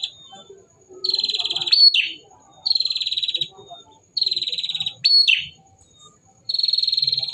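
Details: Male bar-winged prinia repeating dry, buzzy trilled phrases about a second long, twice followed by a swooping rising-falling note, with roughly one-second silences between bursts.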